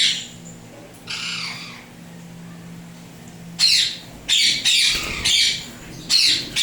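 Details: Pet Indian ringneck parrots, turquoise blue and turquoise blue harlequin, tame; harsh broadband squawks in short bursts, a few early then a rapid series of loud screeches in the second half, over low indoor hum.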